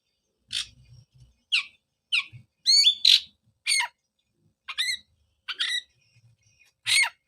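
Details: Oriental magpie-robin sounds, used to restart singing in a post-moult bird: spaced harsh, rasping notes and short downslurred whistles about once a second, with faint low background noise.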